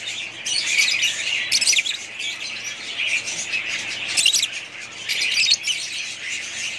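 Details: Budgerigars, a family group kept as pets, chattering continuously in dense high-pitched warbles with bursts of louder squeaky notes around the second and fourth seconds.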